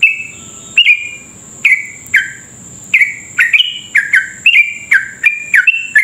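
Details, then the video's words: Sooty-headed bulbul giving long, continuous song used to provoke rival bulbuls into singing: spaced, sharp whistled notes at first, then a faster string of bright, downslurred notes, over a faint steady high whine. "trucuk gacor ropel panjang cocok buat pancingan trucuk cepat ropel"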